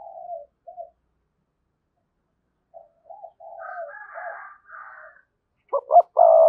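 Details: Lively decoy spotted dove with a good 'thúc' voice. Soft, descending coos come first, then a raspy, higher sound from another bird, ending in a loud, abrupt, rolling coo.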